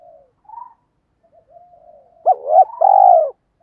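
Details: Spotted dove lure call in 'tiếng thúc' style: faint soft preliminary murmurs, then one loud phrase of a short hooked coo followed by a long, vibrating, falling coo.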